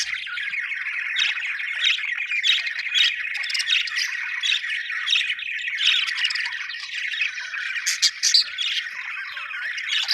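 Budgerigars keep up a busy, chirpy chatter of squawks, trills and short high notes.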